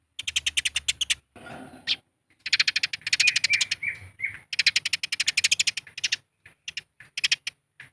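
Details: Territorial fighting chatter of Eurasian tree sparrows, used to goad birds into song. Fast runs of sharp chirps come in dense bursts, with a brief buzzy rasp early on and scattered single chirps near the end.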